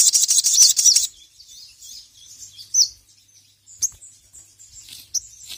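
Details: Sogon (little spiderhunter) calling to a rival, recorded to train other birds: opens with a loud, fast, rattling high trill for a second, followed by scattered thin chirps and sharp ticks.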